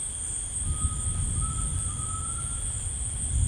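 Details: A tinamou in rainforest sounds a thin, pure whistle of about two seconds that climbs slowly in pitch, partly masked by loud low rumble and continuous high-pitched insect noise.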